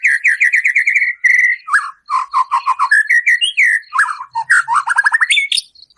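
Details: White-rumped shama (murai batu) in full song, full of harsh 'tembakan' bursts, played to provoke a captive shama's emotion: fast runs of whistled notes, then a lower stuttering series and sliding, varied phrases delivered almost without pause.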